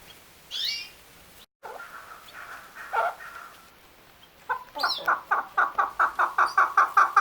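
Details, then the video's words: Male chukar: after a sharp high chirp and some soft low clucks, a rapid accelerating series of loud harsh chuck notes builds over the last three seconds. "Chakor Sound | The Best Voice of Chakor/ Chukar | Male Chakor ki Awaz"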